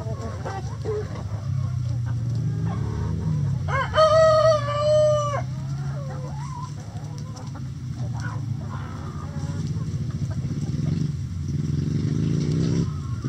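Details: Chickens and roosters in a coop: a rooster crows once, a drawn-out harmonic call lasting over a second, amid ongoing soft clucking and a low background hum.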